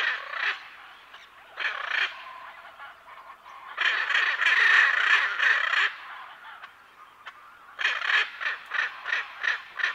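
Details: A pair of Hyacinth macaws, with other parrots and birds audible in the background, gives bursts of raucous squawking: short groups, a long loud two-second outburst, then a rapid series of clipped harsh calls.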